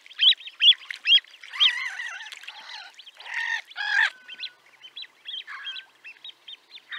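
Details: Great crested grebe recorded at Liepāja, Latvia, in 2023: a run of harsh, grating and rasping calls, some short and clipped, others drawn out and nasal, followed by a series of thin, quick high notes toward the end.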